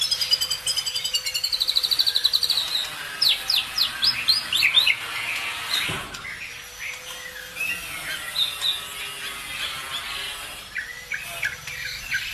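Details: Songbird lure, played to make other birds answer and sing: rapid rattling chirps, then clusters of steep downslurred whistles and chattering phrases, a thump at mid-point, then more varied warbling notes.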